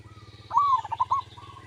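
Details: Local zebra dove singing in the kerot style, used to prompt other doves to answer: one phrase of a rising-then-falling cooing whistle broken into quick staccato notes, over a steady low hum.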